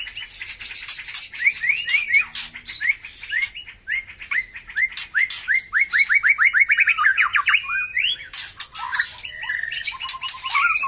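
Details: A white-rumped shama, just starting to sing vigorously again after its moult, delivers a rich, fast medley: runs of quick rising whistles mixed with harsh clicks and chattering notes, nearly without pause.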